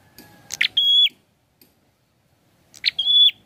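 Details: Prinia, named as prenjak kepala merah or prenjak klawu, gives two phrases about two seconds apart. Each is a harsh, buzzy note sliding into a pure, level, high whistle, with near silence between.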